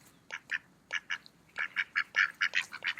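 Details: Short nasal quacks from mallards eating in a park in autumn, coming in pairs at first and then a quicker run of louder quacks over a quiet background.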